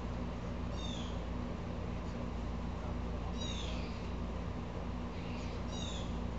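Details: Agitated Blue jay gives sharp, descending, scratchy calls at uneven intervals, three distinct bursts with a fainter one, set against persistent low-frequency humming noise.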